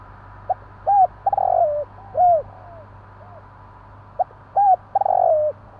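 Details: A spotted dove calls after dark in two similar phrases, each a quick click-like note, rounded coos and a drawn-out burred coo that droops at its end, against a low steady drone.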